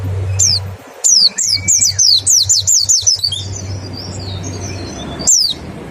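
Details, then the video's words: Lure recording of a mountain white-eye singing 'nembak': a brisk run of high, falling whistles in the first three seconds, then a quieter trailing chatter and one final sharp note over a low background hum. "Suara PLECI NEMBAK dan PANCINGAN NGECAL"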